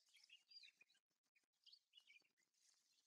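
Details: A Chestnut-eared bunting at Sarobetsu Natural Flower Garden, among Ezo daylilies, sings a quick, jumbled run of high, thin chirps and short twittering notes, broken by brief gaps, over faint background hiss.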